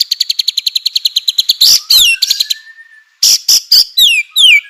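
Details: White-rumped shama song used to provoke other shamas into singing: a fast regular rattle of about fifteen high notes, then loud slurred whistles with a long soft level tone in between.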